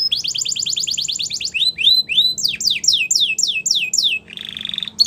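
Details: Belgian canary song meant to teach young canaries: fast trill of short high notes, then slower rising slurs, a run of loud downward-sweeping whistles, and a brief steady buzzy tone at the end.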